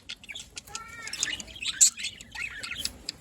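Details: Budgerigars giving soft scattered chirps and a short warble, with a faint lower tonal call early on and quiet chatter throughout.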